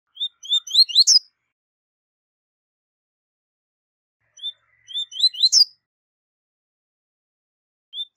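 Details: Training song of a double-collared seedeater, 'tui tui zel zel' style: sliding whistled notes that speed up into a sharp buzzy ending. Two full phrases about four seconds apart, and a third begins at the end.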